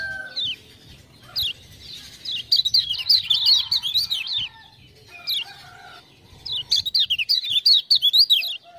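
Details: Lemon-bellied white-eye singing energetically after ciak-ciak prompting sounds: rapid high twittering runs in three bouts separated by pauses, with faint lower whistles and soft background rumble between them.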